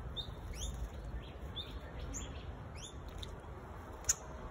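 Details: Singing honeyeater calling: a series of short, sharp upslurred chirps repeated roughly every half second, with steady low background rumble.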